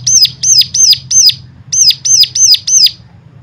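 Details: Stimulation song meant to get other birds singing: clear, high, sharply falling whistled notes in two runs of four, each note about a third of a second apart, with a brief gap between runs and a low background hum.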